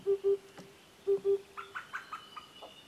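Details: Oriental cuckoos, two males and a female, calling in Ehime Prefecture, Japan, early summer 2021. Two low double hoots are followed by a quick, higher-pitched series of short chattering notes.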